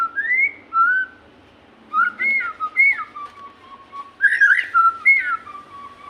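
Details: Song of a captive white-rumped shama, played to coax other shamas into singing: clear mellow whistled notes, rising and falling slurs in short phrases separated by pauses, with one sharper burst midway.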